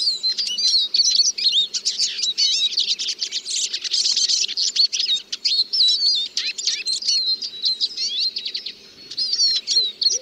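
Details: Eurasian siskin singing a long, dense, high-pitched twittering warble of rapid chirps, trills and squeaky slurred notes, nearly continuous with brief pauses, over a faint low background hum.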